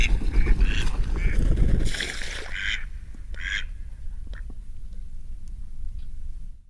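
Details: At night, mallards give a series of harsh, nasal quacks among wing beats and splashing water, with a low rumble of noise underneath.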